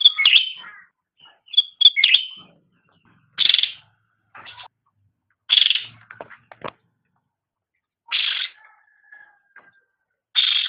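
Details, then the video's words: Cucak rante delivering persistent song for a pet songbird training master: loud, high, clipped notes and rough, harsh bursts, with scattered quieter ticks and a thin lower whistle between phrases, separated by pauses of a second or two. "Suara Burung Cucak Rante | Gacor"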